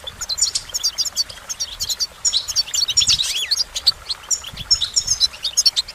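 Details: Goldfinch song: sparkling, rapid high notes mixed with short buzzy trills and a few down-slurred whistles, coming in energetic bursts with tiny gaps.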